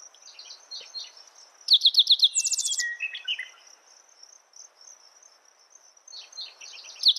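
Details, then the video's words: Spotted towhee gives a single song, a run of sharp repeated notes breaking into a rapid, higher trill. A few scattered chirps from other birds follow against a constant high-pitched insect buzz. "Spotted Towhee Bird Sound, Bird Song, Bird Call"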